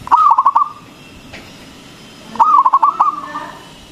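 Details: Zebra dove of a local type, loud and frequent singer, played as a lure to make other doves call: two rapid stuttered cooing phrases, each a burst of quick pulsed notes trailing into a held coo, about two seconds apart.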